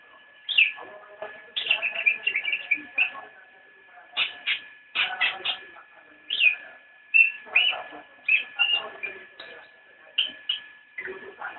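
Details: Cicak rowo (Javan white-eye) in nyinden song: lively sequences of sharp, high, slurred chirps and twitters repeated in quick phrases, with a constant thin tonal hum underneath.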